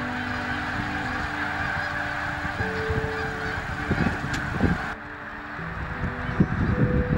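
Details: Snow geese at Bombay Hook, Delaware: a large flock gives many overlapping honks over a steady, roaring background noise.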